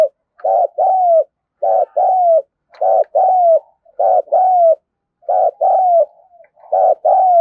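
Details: Vigorous calling from a spotted dove, meant to prompt newly caught birds to start calling. Five steady pairs of low coos, each a short pulsing note and then a longer falling one, repeated roughly every one and a half seconds.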